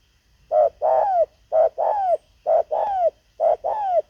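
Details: Luring wild birds with a decoy spotted dove, which gives a steady series of paired coos, a short note then a longer falling one, repeated about once a second.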